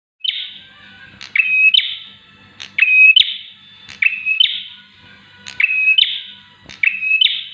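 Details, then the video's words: Bar-winged prinia song, recorded for tutoring or luring other prinias: repeated phrases of a sharp click, a flat whistled note and a buzzy, scratchy burst, each phrase about every second and a half, against a quiet background. "PRENJAK SIAP UNTUK MASTERAN ATAU PANCINGAN TERAPI BURUNG PRENJAK"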